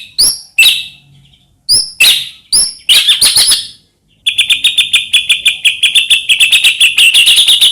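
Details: White-rumped shama song used as a lure for other shamas: spaced sharp high double notes, then a long rapid pulsing high trill repeated many times per second.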